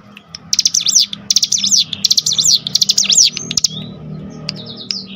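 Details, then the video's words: Cinereous tit singing in a lure recording meant to spur other birds of its kind to sing: several loud bursts of fast, high, sharp chattering notes, followed by a few thin drawn-out whistles, with a low steady hum beneath. "spontan emosi Cigun manapun langsung gacor dengan pancingan ini"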